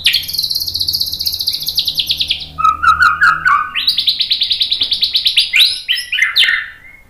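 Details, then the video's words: White-rumped shama singing a 'tembakan' style song used to train birds to answer and sing constantly: rapid high trills in long rows, a lower stuttering burst midway, then a rising, repeated series of sharp notes ending in slurred whistles. "SUARA MURAI BATU Untuk melatih MENTAL biar BUNYI NYAUT JADI GACOR BONGKAR MATERI TEMBAKAN"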